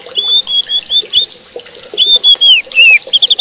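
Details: White-rumped shama song meant to stir other shamas: high clear whistled notes in short spaced phrases, some slurred downward, with faint chatter beneath.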